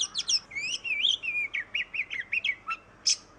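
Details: Oriental magpie-robin song meant to prompt other birds to sing: a tumbling phrase of sweet, slurred whistles falling and rising, followed by evenly spaced short notes and a final harsh rasp.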